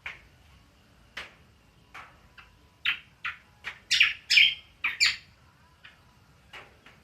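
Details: Cucak kombo giving ngriwik song: spaced single sharp chips that quicken into a cluster of loud, scratchy twittering notes, then taper back to sparse chips.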